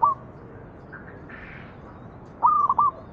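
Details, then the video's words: Zebra dove song used as a lure so that other doves answer: a brief coo at the start, then a clear phrase of a long mellow note broken into rapid trilled coos after a pause. "PANCINGAN BURUNG PERKUTUT MANGGUNG"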